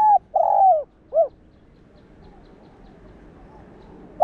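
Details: Cooing spotted dove, played to excite caged doves during decoy training: a phrase closes with a long sliding coo and a brief dropping note, then silence before a new phrase starts.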